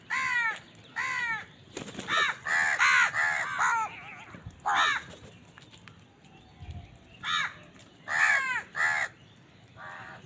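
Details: Crows feeding and competing for food. A busy run of hoarse caws, some bunched and overlapping, suggesting more than one bird, with short downward-slurred notes and brief quiet spells.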